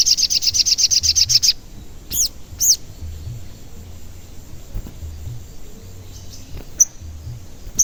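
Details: Sogon call used as a lure so other sogon sing and become agitated, also for trapping in the wild; sounds like 'cuit cuit'. Opens with a quick series of high notes, about four per second, followed by a few isolated sharp chirps over low background hum.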